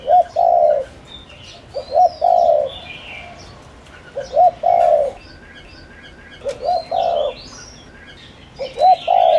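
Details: Steady series of lure calls from a spotted dove to attract wild doves: four or five low phrases, each a clipped double note and a sustained purring coo, about every two seconds, with thin high bird chirps overhead.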